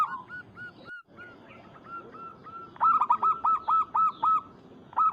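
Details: Local perkutut or zebra dove calling out a rival: a soft string of evenly spaced coos, a brief break, then louder hooked cooing notes in a fast regular run, with a faint second bird underneath.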